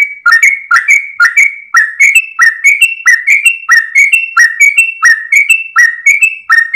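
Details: Dawn song of a Sooty-headed bulbul, tail wagging, in extended 'gacor ropel' style used to train birds: evenly paced whistled couplets, a sharp upper note followed by a lower rich one, repeated without a break.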